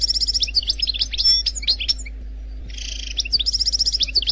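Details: Algerian European goldfinch singing a fast, liquid run of tinkling twitters, rapid trills and brief buzzy notes, almost without pause, over a faint low hum.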